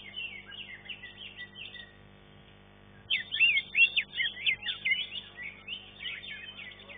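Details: Caged green leafbird at a contest, ranked third: chirpy phrases at first, near silence around two to three seconds, then a loud outburst of varied whistles and chatter.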